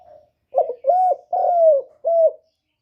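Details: Lure spotted dove kept to draw in wild doves, giving clear cooing: a brief soft note, then a short burst, a level coo, a long gently descending coo and a final shorter coo, nothing else audible.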